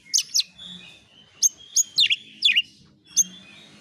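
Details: Oriental magpie-robin lure song to provoke replies: scattered sharp, high downslurred chirps, some doubled, spaced out over soft background hum.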